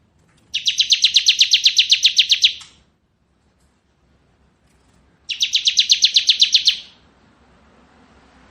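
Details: Bar-winged prinia, called ciblek kristal, in ngebren song: two dense, rattling bursts of rapid high notes, each about two seconds long, separated by a few seconds of silence.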